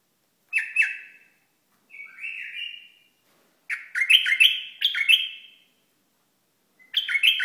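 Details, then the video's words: Bulbul from Iraq singing clear whistled phrases around a mid-high pitch, short warbling bursts with slides and trills in several groups separated by pauses, quiet background. "بلبل عراقي"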